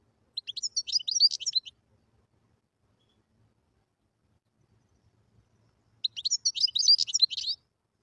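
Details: Wild European goldfinch singing: two separate bursts of high, rapid twittering and tinkling notes, each lasting about a second and a half, with silence between them.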